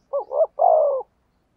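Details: Spotted dove cooing in the 'thúc gù' style used to lure wild doves: a single low phrase of two short hoarse notes followed by a longer, steady, slightly falling coo, in quiet surroundings.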